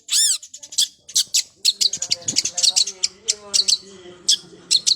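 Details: Long-tailed shrike in full 'isian' song. It opens with one arched, harmonic-rich note, then breaks into rapid sharp chips and trills that rise and fall, with fainter lower tones underneath.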